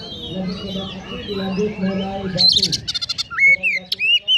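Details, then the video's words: Magpie-robin delivering 'konslet' song with sparrow imitations; a low hum and faint murmur give way to a sudden rattle of chattering notes, followed by bright, rising whistled phrases. "Kacer Konslet Full Isian Burung Gereja | Magpie Robin Singing"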